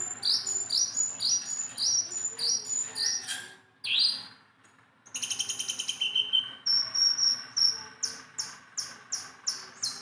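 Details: Tame, steadily singing Sunda bulbul that can be handled by hand, delivering rapid series of short high chirps in rhythmic runs with a brief pause midway, then evenly spaced sharp notes.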